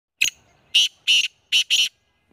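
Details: Black quail calling: five short, loud, harsh high notes in about two seconds, the final two nearly joined, with a quiet background.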